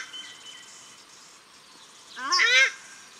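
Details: Paradise shelduck calling at Cornwall Park in Auckland, New Zealand, male and female present: a single harsh, rich honking burst after two seconds of faint background hiss and a thin distant whistle.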